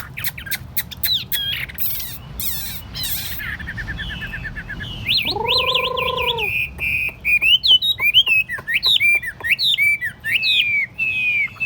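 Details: Tame Chinese hwamei in a portable cage on a table opens with sharp ticking clicks, gives a brief nasal harsh note, then bursts into fast, loud, wavering whistled phrases repeated with varied shapes.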